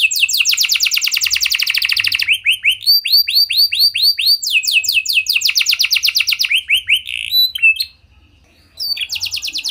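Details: Lure song from a gacor canary: a long rapid trill, then slower arched whistles, another fast rolling trill, a moment of silence and a fresh burst of high notes.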